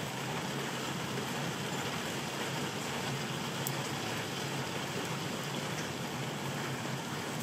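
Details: Steady rain pours with dense, constant hiss and patter throughout, and no animal voice is heard.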